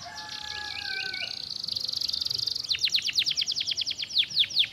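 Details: Canary song building from a steady buzzing trill with low wavering notes into a loud, accelerating series of sharp descending chirps.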